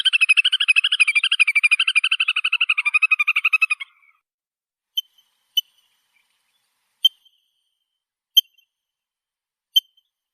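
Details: Little Grebe: a rapid, high, wavering whinnying trill lasting about four seconds, then silence broken by a few sharp, isolated clicks.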